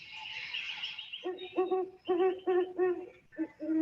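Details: A great horned owl in Maine, heard at night especially in fall and winter, gives about seven deep, muffled hoots in a stuttering rhythm, like 'who's awake, me too', after a second of hiss.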